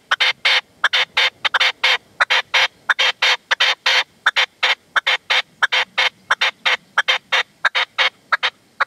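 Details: Partridge and decoy partridge (reclamo) calling at sunset in the sierra near Manzanares on 27 February 2014, while a male holds back. Loud, rapid run of harsh, broadband chattering notes, nearly continuous, about one and a half per second in bursts.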